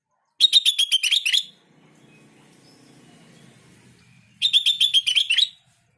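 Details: Sooty-headed bulbul song used as a lure to make other bulbuls answer: two bright bursts of quick, bubbling whistled notes, about eight notes each, ending with a slurred upturn, separated by a quiet pause with a faint low hum.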